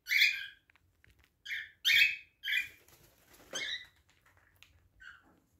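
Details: Pet cockatiels arguing, as they often do before being separated, trade harsh, raspy screeches in short bursts, with a few softer chirps between.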